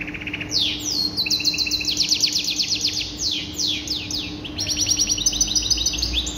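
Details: Canary singing, described as masked in song: loud, clear rolling trills of rapid repeated notes, some sweeping downward, others held as steady high rattles, changing tour every second or so with a faint steady hum beneath.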